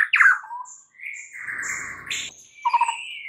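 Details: White-rumped shama singing in the morning: a sharp falling whistle, then a long level whistled note near mid pitch with a high thin overtone, a brief pause, and a final trembling, warbled phrase.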